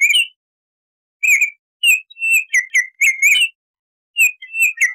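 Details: Short flute-like whistles from a Baltimore oriole, delivered in quick clusters of slurred notes with brief gaps between them. No background noise.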